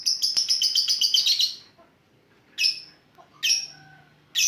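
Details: Lovebird giving the ngetik song style, used as a lure sound: a fast burst of shrill, high chirps for about a second and a half, then a pause and three separate sharp chirps.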